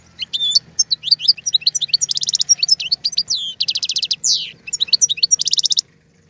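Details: Goldfinch singing a tutoring song for young birds: a continuous fast medley of tinkling twitters broken by several dry buzzy trills and one descending nasal slur, with faint low background hum.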